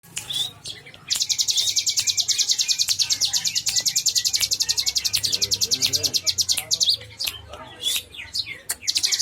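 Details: Bar-winged prinia, known locally as ciblek, delivering a long rapid trill of high, dry repeated notes that runs for several seconds, with brief pauses and sharp ticks, over a low background hum.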